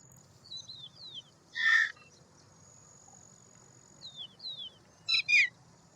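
Two loud, harsh, rasping calls from an Indian roller, about three seconds apart, with thin falling whistles of smaller birds and a faint high insect drone behind.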